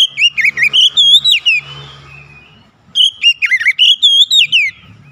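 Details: Kacer, Oriental magpie-robin, singing gacor style: two bursts of fast, clear whistled phrases with twisting rising and falling notes, separated by a pause of about a second with soft background hum.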